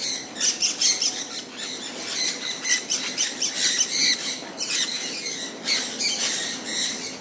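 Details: Several pet sun conures in the rain produce bursts of shrill, scratchy squawks in clusters separated by brief pauses, somewhat softer, with steady rain noise throughout.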